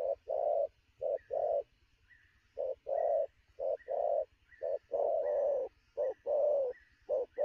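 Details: Energetic wild-caught spotted dove cooing fast around noon, low hollow coo phrases of short and long notes tumbling in quick succession, while a faint thin whistled note repeats higher in the background.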